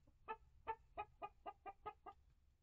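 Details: A coop flock of hens and young chickens of mixed breeds, including Rhode Island Red and Light Brahma. There are eight full, throaty clucks spaced roughly a third of a second apart over faint low hum.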